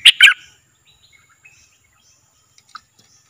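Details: Cream-vented bulbul kept as a decoy bird, recorded 11 July 2021: two quick, loud bubbly notes in the opening half-second, then near silence with a few faint ticks.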